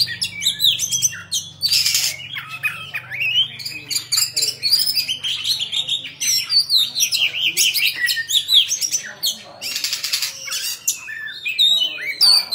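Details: Oriental magpie-robin kept as a pet bird, singing and dancing with its tail spread, delivers a long dense stream of rich whistles, chatters and harsh scratchy notes with hardly a pause, over a low steady hum.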